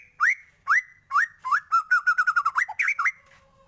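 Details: A white-rumped shama sings energetically with varied fill phrases. Three loud upslurred whistles come about half a second apart, followed by a fast run of short wavering notes and a few twisting whistles before a brief fade.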